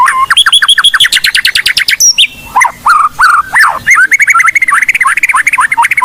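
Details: Actively singing Blorok white-rumped shama used as a lure for other shamas: a varied song of rapid repeated two-note phrases, then lower slurred whistles and quick rising chirps.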